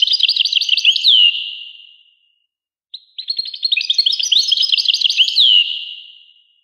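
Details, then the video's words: Twittering song of a European goldfinch: a quick tinkling phrase ending in a slur that echoes away, a gap, then a longer jumble of bright chirps and trills that fades out. "Carduelis carduelis. song Carduelis carduelis pure"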